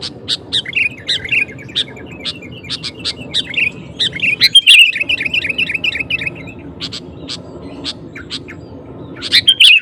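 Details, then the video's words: Sooty-headed bulbul singing excitedly to goad rival males into song, mixing sharp clicking notes with warbled chirping phrases that swell into louder bursts, over a steady low hum. "Suara Burung KUTILANG GACOR Memancing Lawan Kutilang Lain Emosi Ikut Gacor"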